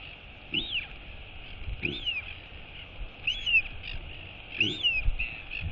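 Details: A female royal albatross chick wheeing at her mother during a feeding visit, 23 August 2022. Four arched whistles roughly every 1.3 seconds. Low thumps and steady hiss underneath.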